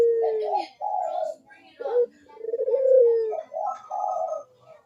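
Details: Vigorous Barbary dove cooing, played as a lure for doves reluctant to call: low drawn-out coos falling slightly in pitch, alternating with short brighter bursts in an irregular, overlapping pattern.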